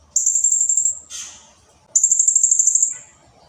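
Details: Two very high, buzzy trilled bursts from a blue-crowned hanging parrot, each close to a second of fast pulses, split by a short harsh chirp.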